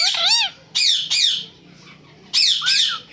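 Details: A pet talking parrot gives four loud, harmonic, arching squawk-like phrases with rising and falling pitch. They come in quick bursts of about half a second, and a long pause falls before the last pair.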